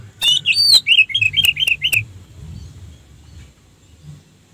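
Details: Orange-headed thrush song played as a lure to rouse other orange-headed thrushes into singing: a quick run of sharp, slurred whistled notes, each dropping in pitch, over about two seconds, then quiet with a low background hum.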